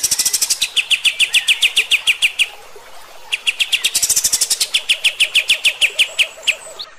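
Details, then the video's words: Master song of a kapas tembak for training young birds: two long runs of rapid, machine-gun-like repeated sharp notes, high then dropping slightly, separated by a short gap, with a faint lower warble underneath. "suara KAPAS TEMBAK ini Cocok buat masteran MB bahan anda & 100% AKAN NEMBAK JUGA"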